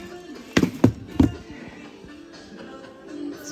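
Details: Three sharp knocks or thumps in quick succession, then a faint indoor hum with no animal voice.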